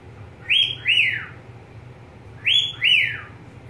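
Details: Pet budgerigar giving paired whistles, each note swooping up then sliding down, two pairs about two seconds apart over a faint steady low hum.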